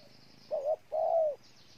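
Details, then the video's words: A spotted dove recorded in Ninh Thuận, Vietnam, utters a quick double coo followed by one long, smooth, slightly descending coo, low-pitched and clear. "Cu gáy Ninh Thuận"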